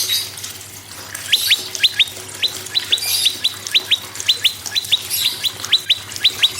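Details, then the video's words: Prinia singing to encourage other caged birds to call, a quiet start, then a steady stream of crisp falling chip notes, mostly in pairs, over a constant low electrical hum. "PRENJAK LUMUT GACOR PRENJAK KEPALA MERAH GACOR TERAPI PANCINGAN SEMUA BURUNG MACET AGAR BUNYI GACOR"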